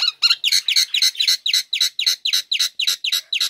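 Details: Female Nias hill myna calling steadily after its cover is opened, used as a lure for lazy birds: harsh, slightly downslurred chirps repeated about four times a second in an even, unbroken series.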